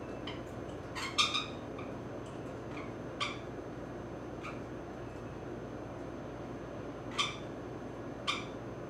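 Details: A 16-year-old female grey-cheeked parakeet, enjoying a back scratch indoors, gives about half a dozen short, harsh, scratchy chirps at irregular intervals over a steady indoor hum.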